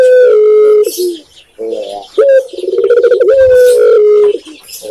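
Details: Spotted dove, called tekukur in Indonesia, cooing at close range: a loud sustained coo, a rapid rolling purr of pulsed notes, then a long drawn coo falling slightly, with shorter soft coos between phrases.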